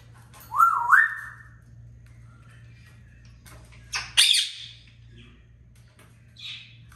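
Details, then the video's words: Talking pet African grey parrot calling its own name in a room: a clear zigzag whistled phrase rising in steps, then a harsh loud squawk some three seconds later and a softer rasp near the end over low household hum. "ببغاء الكاسكو متكلم | ينادي اسمه (سكر)"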